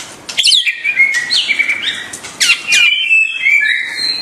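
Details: White-rumped shama song, clear and loud: sweeping whistled slurs and rising-falling notes between bright upper overtones, with sharp high chips, delivered in two rich phrases with a short pause near the middle.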